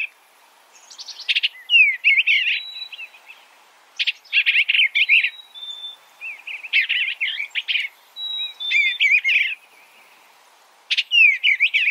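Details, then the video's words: Repeated warbling phrases from an Eastern bluebird, each opening with sharp chips and followed by tumbling slurred notes, interspersed with thin, level whistled tones. "Suara Burung Eastern Bluebird - Eastern Bluebird Bird Sound"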